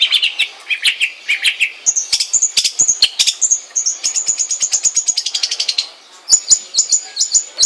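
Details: Long-tailed shrike song opening with buzzy chirps, then fast chattering trills and rapidly repeated high notes, a brief silence, and a return of sharp high notes.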